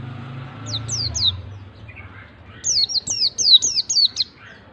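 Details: Lure recording of a white-eye meant to make a lazy bird sing ngalas-style: three thin, high, downslurred whistles, a pause with soft chips, then a quicker run of about six similar falling notes over faint low hum.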